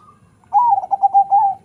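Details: Crossbred zebra dove, local line with Bangkok blood bred for a big sound, giving one loud, slightly wavering coo phrase that pulses several times at steady pitch.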